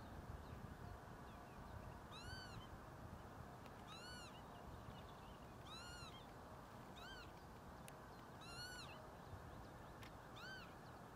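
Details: Northern lapwing at Črna pot, Ljubljansko Barje, Ljubljana, on 13 April 2024, giving wheezy, slurred pee-wit calls that rise and fall, about six in eleven seconds, over a steady low rumble of wind or distant traffic.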